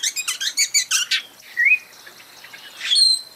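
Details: Spot-breasted oriole (Icterus pectoralis): a quick burst of about ten dry chattering notes, then two clear whistles, the first slurred upward, the second higher and sharper.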